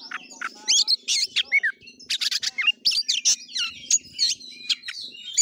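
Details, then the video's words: Kacer, the oriental magpie-robin, singing in fighting-style play, kura-kura style: quick bursts of buzzy rattles mixed with bright whistled upslurs and downslurs, delivered almost without pause over a soft low background hum. "KACER NGEPLAY TARUNG|GAYA KURA KURA"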